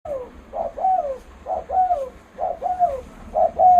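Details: Spotted dove with a loud voice, used as a lure for bird trapping; short two-part hoarse coos repeated steadily, about one phrase per second, each ending in a drawn-out falling note.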